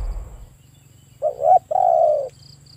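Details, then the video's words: A spotted dove gives a low, soft two-part coo, a short wavering note then a longer steady one, against an otherwise quiet background. "Spotted Dove Sound"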